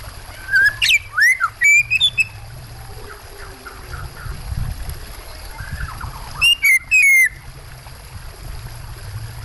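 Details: Oriental magpie-robin song mixed with water sounds: two short bursts of clear whistled notes, sliding up and down, with sharp chips between them, over a steady low rushing of water.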